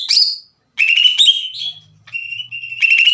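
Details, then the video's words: Greater green leafbird in full voice, played to excite other leafbirds: a high sharp note, then steady ringing whistles and raspy trills, with a short pause between phrases. "PANCINGAN CUCAK IJO GACOR CEPAT MENAIKAN EMOSI CUCAK IJO LAIN"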